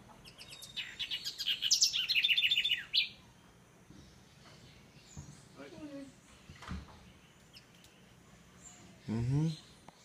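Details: A house wren (Troglodytes aedon) in tropical trees in Costa Rica sings a fast, bubbling burst of high chattering trills for about two seconds, followed by quieter chips and a brief low, voice-like sound.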